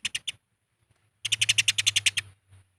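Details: Squabbling Eurasian tree sparrows used as a lure to draw out calling birds: three sharp chirps, a pause, then a fast burst of about ten harsh chirps over a steady low hum.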